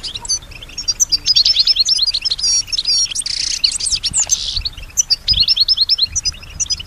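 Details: Singing female European goldfinch, imitating sounds around her: lively, high-pitched twittering of quick tinkling notes, a sustained buzzy rasp in the middle, then more scattered chirps.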